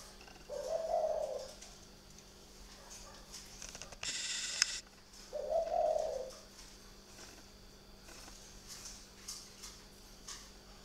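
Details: Night-time cooing of a spotted dove kept in a bird garden in Ba Vì, Hanoi, northern Vietnam: two soft, low coos about five seconds apart, separated by a brief loud rustling burst.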